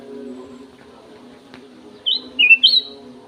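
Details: Golden-fronted leafbird kept in an aviary, giving one short burst of loud, clear whistles: three slurred notes dipping then rising, after a quiet start with a faint low hum.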